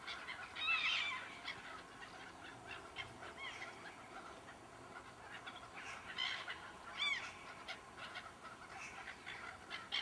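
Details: Gulls in a flock that suddenly arrived and flew around for twenty minutes; several birds giving high, bent yelping calls, clearest near the start and around seven seconds, over constant hiss.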